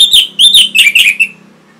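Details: Orange-headed thrush song used for training caged birds: a quick string of bright whistled notes sliding up and down, falling slightly toward the end before fading into a faint hum.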